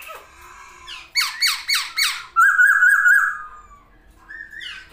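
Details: Masked laughingthrush singing with wings spread: four harsh, squawking notes about a third of a second apart, then a loud wavering whistled trill and a short rising note.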